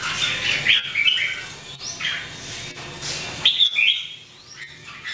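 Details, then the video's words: Caged Red-whiskered Bulbuls, three birds in 2018 daily singing practice: quick, lilting whistled notes and rising slurs, several short phrases overlapping in rapid succession against a soft background hum. "Training Jambul birds singing everyday 2018"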